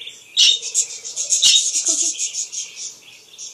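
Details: Budgerigars kept as pets, described as a baby, giving a dense run of high, scratchy chirps and warbling twitters, continuous and rapid, with a faint low hum beneath.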